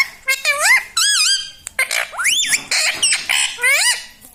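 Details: Pet parrot mimicking human words, said to call "mummy" and "mitthu", delivers quick speech-like bursts of curved, warbling harmonic tones and short clicks, dense and continuous for about four seconds indoors.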